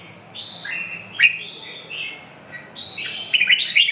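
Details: Red-whiskered bulbul delivering short clear whistled phrases, some slurring downward, separated by brief pauses, ending in a busy cluster of sharp chirps.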